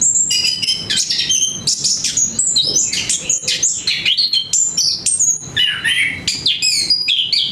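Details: Melodious song of an orange-headed thrush, known locally as anis kembang: dense run of bright whistles, quick chirps and rising and falling slurs, phrases following each other with barely a pause.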